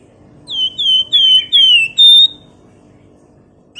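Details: Nyiul whistling from a flamboyan bird kept as a singing lure: four or five clear, high whistled notes in a row, each sliding slightly downward, ending on a steadier level note before quiet.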